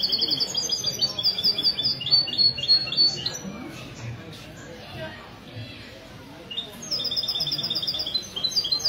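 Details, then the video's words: Goldfinch mule (mesto) singing in a Ksar el-Kebir café on a Sunday morning, 16 February 2020. Fast, high, chattering twitters fill the first three seconds. They pause amid low voices, then resume strongly near the end. "تغريد الميستو من جمعية لكوس للحسون الدهبي"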